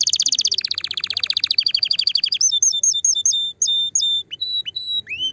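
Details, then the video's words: Canary singing to stimulate the female: dense rapid trill slowing into a rolling tour, followed by crisp repeated double notes and a few upswept whistles. "Chant de CANARI pour STIMULER la FEMELLE"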